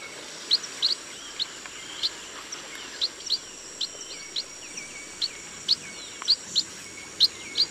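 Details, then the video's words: Chestnut munia in a rice field, uttering sharp, high-pitched chips, often doubled, spaced roughly every half second to second, with a constant faint high-pitched buzz behind. "CHESTNUT MUNIA BIRD SOUND"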